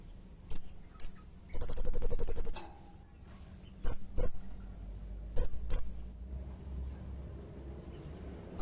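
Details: Blue-crowned hanging parrot (serindit) recorded as a master and prompt song for training birds: isolated very high, sharp chirps, one quick trill of evenly spaced shrill notes, then scattered paired chirps over faint low background rumble.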